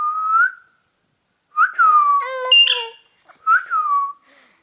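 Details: Ring-necked parakeet repeating a rising, then falling whistled phrase three times, once broken by a harsh, voice-like syllable in the middle.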